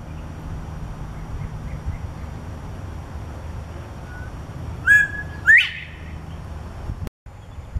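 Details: Male Northern Bobwhite calling in a California neighborhood where it is not native: one whistled two-note "bob-white", a short level note followed by a louder, sharply upslurred note, over steady low background rumble.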